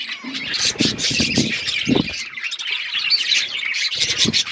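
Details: Colourful pet budgerigars playing with each other, chattering in a steady, high, scratchy warble, with low thumps and handling noises heard in short bursts beneath the chirping.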